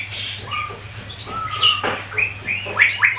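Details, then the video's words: Grey-cheeked bulbul (cucak jenggot) in 'ngepik' tutor song: short, clear whistled notes and upward-slurred chips, sparse and varied, with a faint hiss behind. "CUCAK JENGGOT MBESET NGEPIK RAPET"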